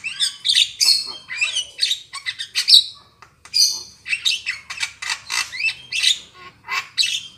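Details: Black-winged myna trapping lure: continuous harsh chattering phrases of raspy squawks and short whistled slurs, in bursts separated by brief pauses.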